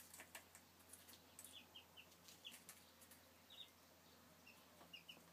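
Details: High, quick peeps from chicks, filmed in 2013, come in small clusters of two or three, mixed with frequent soft taps and clicks over a low background hum.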